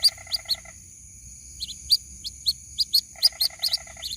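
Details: A white-breasted waterhen chick calling to its mother: high, clipped peeps roughly twice a second, with a lower buzzy rattling series at the start and again near the end, plus a steady background whine.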